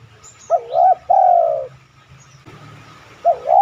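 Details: Spotted dove lure call to draw replies from other doves: one phrase of a wavering double note then a long falling coo, a quiet gap with light background noise, and the start of another phrase.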